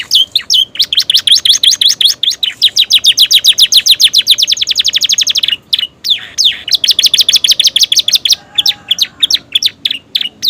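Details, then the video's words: Romeo canary in new plumage delivering a long, loud song stuffed with prenjak and ciblek imitations: fast runs of high chipping notes that accelerate into a dense trill, brief pause, then more rapid sweeping notes. "kenari romeo gacor isian prenjak ciblek durasi masuk"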